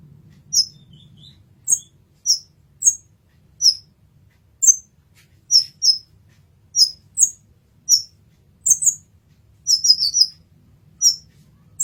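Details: Kolibri ninja, the olive-backed sunbird, in a master recording: about eighteen sharp, high, down-slurred chips, mostly evenly spaced, with a tight cluster near the end and a brief low hum at the start.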